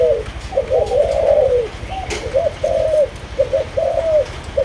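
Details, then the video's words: Malaysian-line spotted dove, kept, cooing in clear phrases. A short note leads into a longer wavering coo that falls at the end, heard several times. A single click sounds midway. "Cu Gáy Malaysia Nhiều Dòng"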